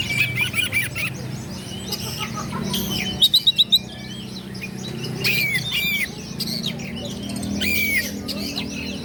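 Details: Oriental magpie-robin (kacer) singing loudly to provoke rival birds into fighting: separated clear whistled phrases, some rising and some falling, with a quick burst of sharp clicking notes midway, over low background rumble.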